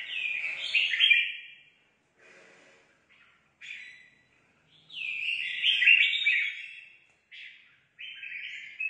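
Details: Red-whiskered bulbul newly caught from the forest, singing competitively: loud warbled phrases of whistled, slurred notes in two main bursts separated by short pauses and brief fragments, on a quiet background.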